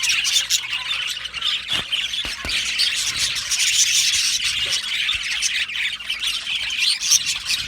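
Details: An aviary colony of budgies chirps and sings together, giving an unbroken, busy chorus of high squeaky twitters and short squawks, with a few soft knocks.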